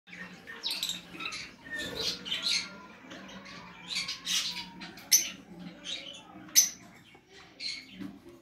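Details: Exhibition budgerigars chatter indoors with rapid, scratchy warbles and sharp high chirps.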